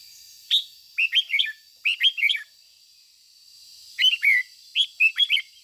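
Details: Decoy red-whiskered bulbul singing 'ché' song meant to stimulate other bulbuls: five rapid phrases of chirpy, slurred whistles, three close together, then a pause before two more.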